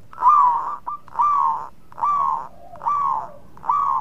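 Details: Zebra dove, a local perkutut in full song, used as a lure so rival birds answer quickly; five rolling, slightly downturned cooing phrases near one pitch, each about half a second long and repeated roughly every 0.8 seconds.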